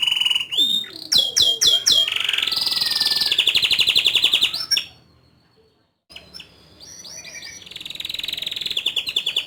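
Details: Canary singing rapid sweeping chirps into a loud rolling trill, falling silent for about a second, then resuming with chirps and a steady buzzy trill.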